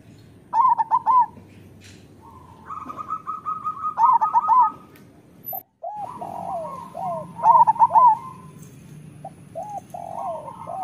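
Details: Master song of a local zebra dove, meant to stimulate idle or molting doves to sing. Three bouts of quick rolling coo bursts come a few seconds apart, linked by softer looping coos and a steady high trill.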